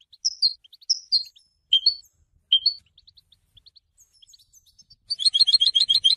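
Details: Goldfinch singing, part of its way of announcing presence and attracting females: separate high clear chirps and slurred whistled notes spaced apart, then a sudden fast buzzy twittering trill at the end.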